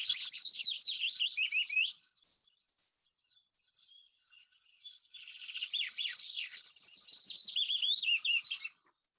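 Willow warbler song: a sweet, liquid phrase of high notes sliding gently down the scale, given twice with a short pause between.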